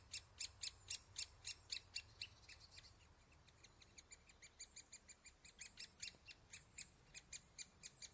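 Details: Great spotted woodpecker young being fed at the nest hole: sharp, high, clicky chips repeated about four times a second, louder at first, briefly softer midway, then steady again.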